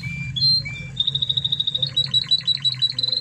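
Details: Spanish Timbrado canary from Spain, a master recording for training other canaries. Clear whistled notes lead into a fast, high, metallic trill, then rapid repeated chirps, over a steady low hum.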